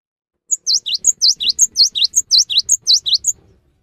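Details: Song of a cinereous tit used to coax other tits to sing: a lively run of high, clear notes alternating a short steady whistle with a swooping V-shaped note, repeated about seven times in even rhythm over three seconds.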